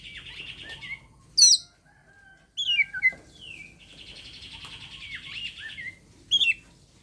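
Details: Oriental magpie-robin challenging a rival to fight, used to coax quiet birds into song: varied phrases of loud piercing whistles, quick downward sweeps and long rapid buzzy rattles, with short pauses between bursts.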